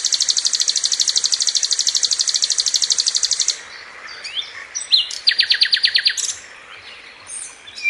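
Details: Chatty sikatan londo flycatcher: a sustained high buzzy trill pulsing steadily for three and a half seconds, a short quiet gap, scattered sharp chirps, then a shorter rattling burst and a few thin high notes.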